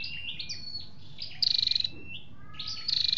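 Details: Flowerpecker recording with male and female calls, used as a lure for trapping or to excite a caged bird: high buzzy trills, each a rapid run of pulses, between thin sliding whistled notes.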